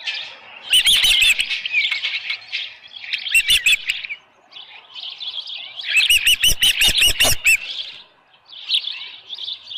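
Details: Osprey nest at Dunrovin Ranch, early morning of 24 July 2018, with a headless fish: soft chattering twitter broken by two short bursts of loud, rapid, whistled chirps.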